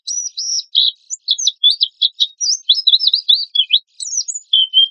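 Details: Oriental white-eye in energetic song with harsh bursts, used as a lure: a fast, dense stream of high, sharp chirps and short trills, evenly paced with tiny gaps, ending in a thin whistle.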